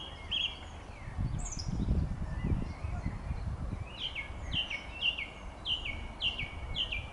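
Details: Song thrush singing on 24 June 2013, a series of short clear repeated phrases of sharp downslurred notes, each figure given several times in a row, over constant low rumbling background noise.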